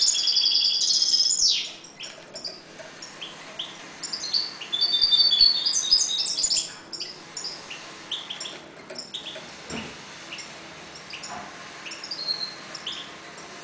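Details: Caged breeding European goldfinches in a 1.20 m cage give short outbursts of high twittering song at the start and around the middle. These are followed by quieter scattered chirps and occasional knocks.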